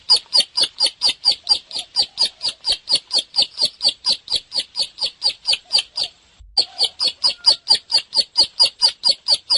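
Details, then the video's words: Bar-winged prinia, known locally as ciblek, in full vigorous song. Sharp, high, buzzy notes pulse in a fast, even series of about two per second, broken once by a brief pause before the series resumes. "Suara Burung | Ciblek Gacor"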